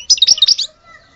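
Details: Brief burst from a European goldfinch of the Algerian type: a quick run of bright, tinkling chirps lasting under a second, then quiet.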